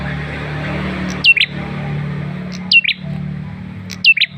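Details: Male red-headed tailorbird lure sound: three well-spaced pairs of sharp downslurred chirps, roughly every one and a half seconds, against steady low hum and hiss.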